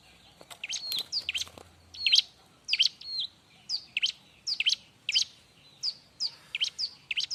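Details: Bar-winged prinia in full, lively song, loud and busy, used as training song for other birds: sharp high chirps with quick downward sweeps, delivered in a steady series about every half second, with faint background hiss.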